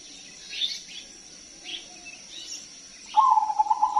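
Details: Crossbred zebra dove in full song, used to attract other doves: faint high chirps from other birds come first, then the dove breaks in with a loud, fast-pulsing rolling coo that runs to the end.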